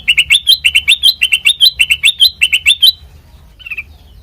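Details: Sooty-headed bulbul song used as a lure for training other birds: about three seconds of quick paired chirps rising in pitch, crisp ticks above, then near silence with one faint late chirp.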